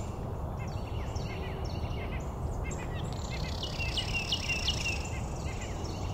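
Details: A Carolina wren in a meadow on 24 October 2023 gives bright, quick chirping notes, then a rolling series of ringing phrases, over a steady low background rumble.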